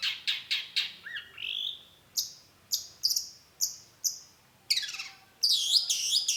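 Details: Long-tailed shrike in full song as a lure: quick sharp chips, a short rising whistle, then five spaced, clear descending notes, closing with scratchy, noisy chatter.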